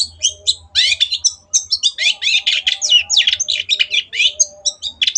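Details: Energetic long-tailed shrike singing a dense, varied run of quick chattering notes. Buzzy phrases alternate with short whistled slurs, almost without pause, and a low hum lies underneath.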